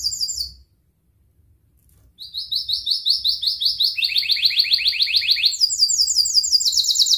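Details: Canary with a long, lively song meant to coax young canaries into learning: after a short pause, rapid high trills of rasping repeated notes, each tour steadily stepping to a new pitch.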